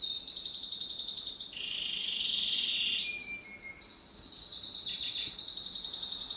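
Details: Pet canary singing in duet indoors: high rolling trills alternate with a lower sustained buzz and a thin whistle, then return to bright fast trilling.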